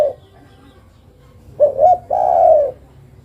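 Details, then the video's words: A female spotted dove calls to the male. A coo tail is heard first, then after a quiet gap comes a complete phrase: two short upslurred notes and a long, low falling coo. "Suara burung derkuku betina memanggil jantan"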